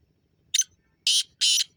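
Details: Black francolin calling: a short harsh note followed by two longer, grating, rasping notes in quick succession, all high and noisy, with a quiet background.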